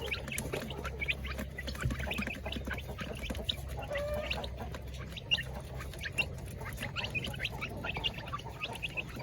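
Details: Flock of village chickens in a coop while their keeper feeds them, giving a continuous chatter of short, clipped clucks from many birds, with a constant low hum underneath and occasional louder knocks.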